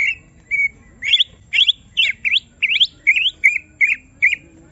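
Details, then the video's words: Greater green leafbird in a cage, provoked into emotional singing: a series of ringing whistled notes and sharp upward-sweeping slurs, each roughly half a second apart. "Semua Cucak Ijo Langsung Emosi Bongkar Isian mendengar suara Cucak Ijo lagi di Trek Emosi ini"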